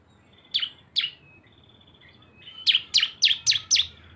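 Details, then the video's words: Cisem song lure blending two birds: two spaced sharp chirps and a thin whistle, then a fast string of five high, emphatic chirps. "CISEM GACOR ‼️ SUARA BREN kombinasi 2 burung"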